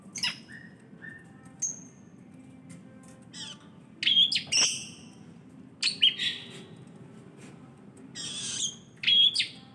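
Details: Long-tailed shrike singing in a varied, chattering style: scattered short whistles and sharp high notes alternate with harsh broadband bursts and pauses over a low steady hum.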